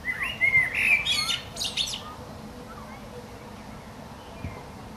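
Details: Common blackbird perched on a branch outside a window, singing: a mellow warbled phrase followed by a high twittering flourish in the first two seconds, then near quiet.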